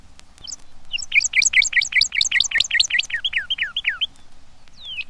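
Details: Northern cardinal from a field guide recording: rapid series of about twenty clear slurred whistles at a high pitch, repeated roughly every tenth of a second and slowing toward the end, followed by one higher downslurred note.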